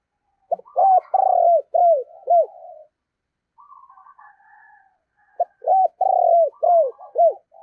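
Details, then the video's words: Spotted dove, a decoy bird, cooing in 'thổ' style: two phrases of loud, deep, arched coos, each with one long rolling note, separated by soft murmuring notes. "tiếng cu gáy - Chim Cu Mồi Giọng Thổ Gáy Hay"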